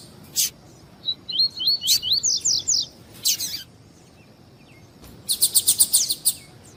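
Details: White-collared seedeater in warm-up song: a series of rising slurred whistles climbing into high chirps, a pause, then a fast even train of sharp high chirps at the end.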